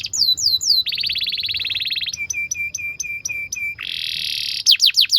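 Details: Canary in full song, used as master song to train young canaries to sing: descending whistled sweeps, then a rapid even trill, a row of sharp repeated chips, a buzzy rolling stretch and closing downward whistles.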